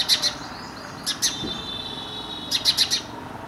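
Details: Indian house sparrow (Passer domesticus indicus) near human habitation: loud ringing chirps, a pair, then two more, then a fast string of four, with a thin steady tone in the background.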